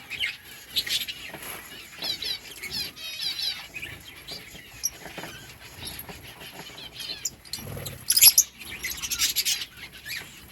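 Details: Breeding colony of lovebirds chirping: scattered high, sharp chirps and short buzzy trills from several birds, with quieter gaps between bursts and one loud shrill squeal near the end.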